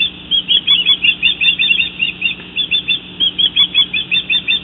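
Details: Female bald eagle in the nest in June, calling for her mate after he brought her a fish: a fast series of thin, high chittering notes, about three per second, with a faint steady hum beneath.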